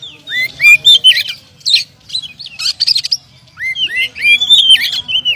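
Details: Contest-champion oriental magpie-robin with earlier wins, singing rising whistled notes mixed with scratchy rasping chatter, a short pause, then smooth looping whistles.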